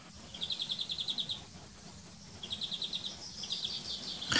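A European Greenfinch sings rapid trilled phrases of bright, repeated notes, about a dozen per second, in two bursts, over faint low background noise.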